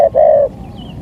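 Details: Local spotted dove on a lure recording used to draw wild doves toward a decoy: a clipped note followed by a long, steady, low hollow coo, then quiet background hiss.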